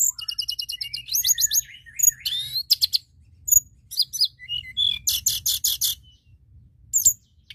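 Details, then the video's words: Energetic White-browed shortwing song used to lure birds: bursts of fast repeated high chips and trills, buzzy rattling phrases and sharp ticks, separated by short pauses. "Pancingan tledekan Gunung Gacor!"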